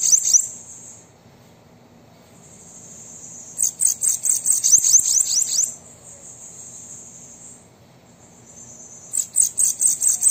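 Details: Bananaquit song, played to stimulate a captive bird: high sustained buzzy tones alternate with fast pulsed trills, three phrases spread over ten seconds.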